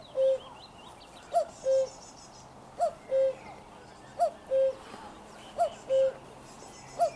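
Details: Loud, close common cuckoo on 4 June 2023 delivering five rhythmic two-note calls, a sharp upper 'cu' then a drawn-out lower 'koo', about every 1.4 seconds, accompanied by faint warbling and chirps of other birds.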